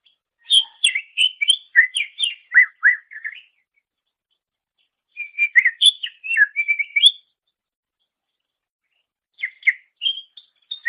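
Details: Greater green leafbird song kept as a long master recording for tutoring songbirds; bursts of rapid varied chirps and whistles in three phrases separated by pauses.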